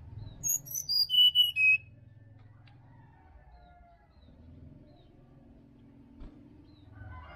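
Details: Sirdadu singing wild in a Bali forest, a recording for rousing a lazy caged bird in the morning. A rapid run of piercing whistles drops in pitch, then low background hum with faint scattered notes.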